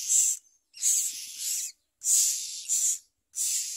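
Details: Harsh, rasping begging hisses from common myna babies as parents bring worms and locusts; uneven bursts, some doubled, separated by short silences.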